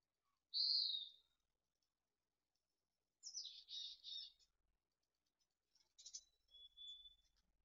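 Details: Mountain chickadee nestlings fledging from a nest at Truckee, June 2020, early morning: a pure high whistle, then two buzzy, scratchy bursts after a pause, followed by sharp chips and a thin, level whistled note.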